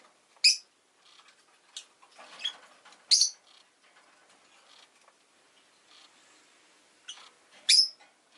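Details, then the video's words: Rosy-faced lovebird chirping: three sharp, high chirps spaced a few seconds apart, with softer rustling and faint chatter between them. "Lovebird Chirping Sounds"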